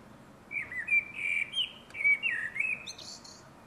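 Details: Common blackbird song: two mellow, whistled phrases in quick succession, each with fluty slurred notes ending in a brief higher twittery flourish, clear over a quiet outdoor background.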